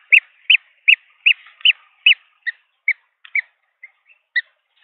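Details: Three green wood hoopoe hatchlings at a nest in Pretoria, South Africa, on 17 December 2022 beg during feeding with high, squeaky chips, about two or three a second, fading to sparser, softer notes; Green wood hoopoe.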